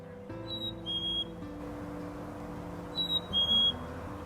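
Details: A chickadee in a forest sings its clear, whistled two-note "sweetie" song, the second note slightly lower, given twice about two seconds apart over soft background music; the song marks territory or attracts a mate.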